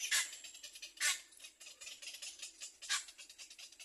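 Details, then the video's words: Little egret chick biting at its mother's bill, loud harsh rasping bursts at the start and again about one and two seconds later, with softer rapid scratchy chatter between them. "little egr baby bird bites mother's mouth loudly"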